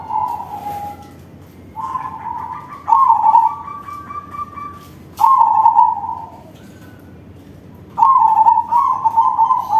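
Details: Zebra dove, crossing type, singing with a large voice: low whistled coos in a phrased sequence, some flat and steady, others loud and trilled, with short pauses between groups over ten seconds.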